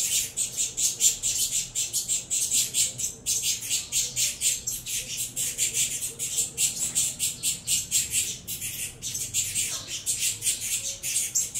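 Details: Saffron finch young from a captive Venezuelan cross clamouring for food at feeding time, an unbroken train of fast, scratchy, high hissing squawks pulsing several times per second throughout.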